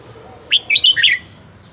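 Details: Red-whiskered bulbul of Vietnamese stock, a small caged bird over ten years old, delivers one quick warbled phrase of four or five bright, slurred notes lasting under a second against a quiet background.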